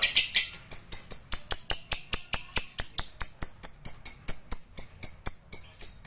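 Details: Lovebird in a long 'ngekek panjang' trill, here slowed to evenly spaced, high, ringing clicked notes about three to four per second, each one a sharp tick with a bright whistled tone, continuing steadily.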